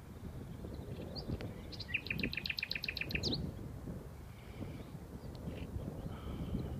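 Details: Common nightingale singing in sunny afternoon: a quick series of about eight rich, repeated notes bracketed by a few sharp chips, over steady low rumbling wind.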